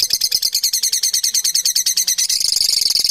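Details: Many parrots together produce a busy wall of shrill, quick chirps and squeaky twitters at a high pitch, running on without pause and growing denser and more rapid toward the end.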